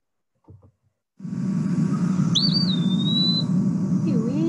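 An Eastern Wood-Pewee gives one clear, high, slurred whistle, wavering at the start and then drawn out, over a steady low rumble of background music.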